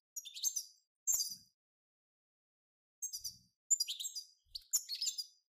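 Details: European goldfinches in a group stimulation song, locally called batbata, meant to stir a goldfinch into singing: short bright twittering bursts of high tinkling notes, separated by silent gaps of up to two seconds.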